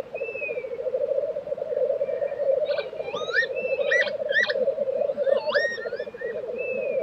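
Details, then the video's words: Tiveden, Sweden, April 2023 black grouse lek: continuous throbbing bubbling, with long level whistles at start and end and a burst of quick upward-sweeping chirps and clicks from other birds in between. "Black Grouse Lek - sound recording"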